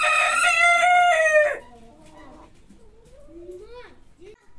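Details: Rooster crowing: one loud, harsh crow lasting about one and a half seconds, its pitch falling slightly at the end, followed by quieter low clucking and softer calls.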